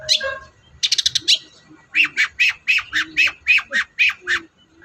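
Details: Long-tailed shrike song used to prompt a quiet shrike to sing: a burst of harsh notes, then a fast run of rasping chips, then about nine evenly spaced buzzy chattering notes.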